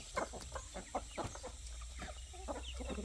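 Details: Poultry flock of roosters, growing hens and chicks being fed in the evening on a country chicken farm, giving scattered soft clucks and grunting notes with a few high chick cheeps.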